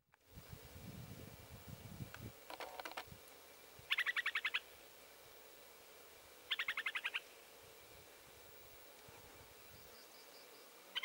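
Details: Upland Sandpipers in young jack pine regrowth after a fire at Baraga Plains, Michigan, on 21 June 2017 give short, fast stuttering bursts of high chattering notes, three bursts a few seconds apart, after low rumbling wind noise.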